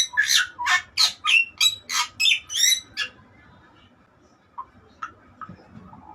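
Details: Bali myna singing: a burst of loud, harsh, scratchy notes with squeaky whistled elements, about eight strokes in three seconds, then near silence with a few faint clicks.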